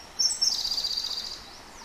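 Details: Eurasian wren singing at Kita-Karuizawa: a brief, very high, shrill trill of rapid buzzy notes, loud at first and fading after about a second, over faint background hiss.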